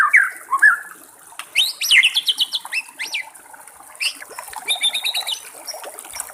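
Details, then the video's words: Wild white-rumped shama song over a water backdrop: a few slurred whistles, then a fast run of sharp high repeated chip-like notes and a later quick rattling phrase. "SUARA BURUNG MURAI BATU DI ALAM LIAR"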